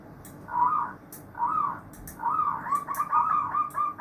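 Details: Zebra dove chorus of many birds: two rolling coo phrases, then a quickening run of short, bouncy cooing notes. Light clicks are heard in the background.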